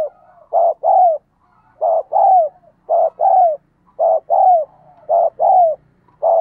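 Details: Spotted dove 'thúc gù' coo, used for decoy training and to make wild doves respond: a short note followed by a longer falling hoot, repeated in regular pairs with quiet purring between.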